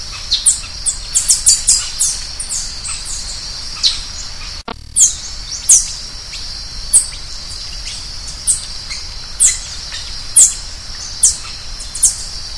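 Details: Green-headed tanager song: a quick burst of high, sibilant chirps, a brief break, then single sharp notes repeated roughly every second. A continuous shrill insect drone sits behind.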